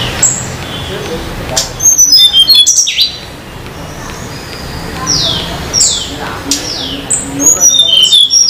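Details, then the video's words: Wild Sunda laughingthrush in full song near Banyuwangi, Indonesia, giving repeated series of high whistled notes, several sliding sharply downward, spread across eight seconds with short pauses, against a faint rustling, noisy background. "Tledekan Gunung/sulingan Gunung Banyuwangi gacor di alam liar"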